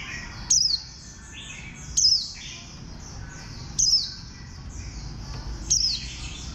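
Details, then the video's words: Four brief, piercing, high notes from a warbling white-eye, each dropping sharply in pitch, spaced roughly every one and a half to two seconds, with quieter chirps between them and a steady low rumble. "Khuyên xanh"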